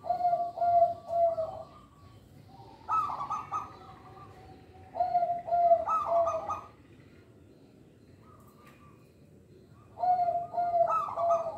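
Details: Local zebra dove used as a song lure for young birds and as training for reluctant singers. Repeated phrases of vibrating, purring coos arrive every few seconds, with a long gap before the last burst.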